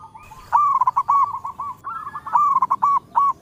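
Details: Local zebra dove in melodious song, calling in all directions: loud rapid rippling coos in two bubbling phrases, each a run of quick repeated notes, closing with one sharp accented coo.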